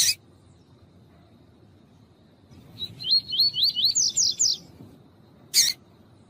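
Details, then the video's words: Female Rusty-collared seedeater calling to warm up a male kept for singing tournaments: a sharp chip, then a quick run of about nine wavy, slurred notes that climb higher toward the end, and one more sharp chip. "COLEIRO TUÍ-TUÍ FIBRA COM FÊMEA CHAMANDO PARA ESQUENTAR SEU COLEIRO TUI TUI"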